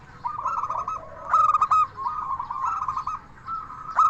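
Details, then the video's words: Local Indonesian zebra dove, a 'crystal voice' singer used as a lure to make other doves answer: loud bursts of rapid, ringing coo notes with a bright metallic edge alternate with softer trilled cooing in between. "Perkutut Lokal Gacor SUARA KRISTAL Ahlinya Bikin Semua Burung Perkutut Langsung Nyaut"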